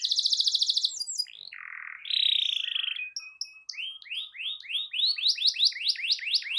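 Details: Singing canary, played to get a quiet canary to sing along: a fast high trill, a buzzy low phrase and a nasal note, then rising notes repeated about twice a second, speeding up.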